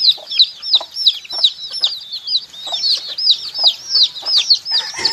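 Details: Baby chickens peeping in actual footage: a busy chorus of high, arched, down-slurred cheeps from several chicks overlapping almost continuously, about three calls a second, with a few softer lower chirps underneath.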